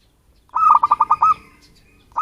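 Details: Natural local zebra dove used to lure birds: one phrase of rapid, mellow coos, about nine notes, the last drawn out, followed by quiet and the start of another phrase.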